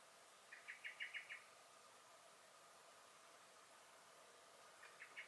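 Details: Garden blackbird recorded in May 2021 calling in alarm: a tight burst of five or six hard, repeated chink notes, silence, then the same sharp notes starting again at the end.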